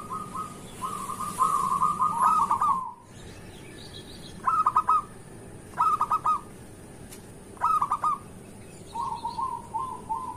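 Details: Local zebra doves singing in the morning, as a lure to make other birds sing: a long run of quick cooing notes, then several short three-to-four-note bursts and a final trailing phrase, with faint distant chirps.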